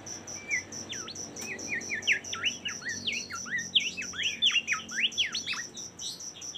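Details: Bimoli singing a fast, varied stream of sharp whistled notes, steep up-and-down sweeps and short chattering phrases, delivered almost without pause, over a steady, rhythmic, high insect pulsing in the background.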